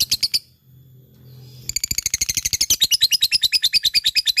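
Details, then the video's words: Gacor fighter lovebird: a few sharp chirps, a moment of near silence with faint low hum, then a sudden long ngekek rattle of fast, bright, evenly pulsed notes that carries to the end. "LOVE BIRD FIGHTER full ngekek GACORR"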